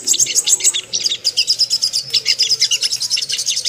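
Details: Ruby-cheeked sunbird lure sound meant to make birds aroused and aggressive: fast, evenly pulsed high twittering, shrill and continuous with barely any breaks.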